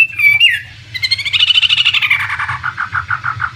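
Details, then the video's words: Chinese hwamei, a premium imported contest bird, sings a short varied phrase: a clear whistled note, then a rapid buzzy chatter that slows into evenly spaced falling notes, with a low hum underneath. "Suara Burung Wambi (Chinese Hwamei)"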